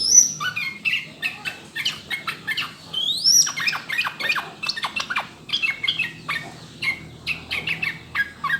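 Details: Yellow-vented bulbul (trucukan) in a clear training recording meant to prompt birds to start singing: a busy, chattering run of quick chirps, short whistled upslurs and downslurred notes, with a few high sweeping whistles near the start.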